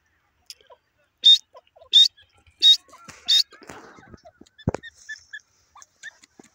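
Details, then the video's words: Grey francolin calling: four loud, shrill, high notes evenly spaced about 0.7 seconds apart, then fainter scattered chirps and a single sharp low knock. "tipter ki awaz gray francolin bird lovely sound"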